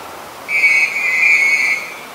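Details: Black-collared starling in Ubon Ratchathani, Thailand, recorded on 10 February 2023, giving a single clear sustained whistle of about one and a half seconds at steady pitch, with little background sound.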